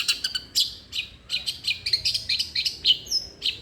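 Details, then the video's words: Long-tailed shrike singing vigorously, meant to spur a quiet shrike into song: rapid, irregular high chirps and short buzzy notes, with a thin whistled note near the end. "irama KICAU CENDET gacor"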